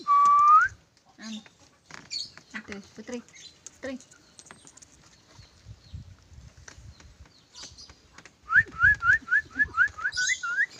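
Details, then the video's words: Smart lorikeet whistling: it opens with a single rising whistle, then soft clicks and chatter, and ends with a quick run of about eight short rising whistled notes, each repeated roughly every quarter second. "nuri perkici pintar bersiul"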